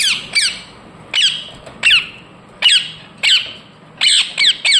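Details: Indian ringneck parakeet calling with shrill, falling squawks repeated every half second to second, with a pair of rapid notes near the end.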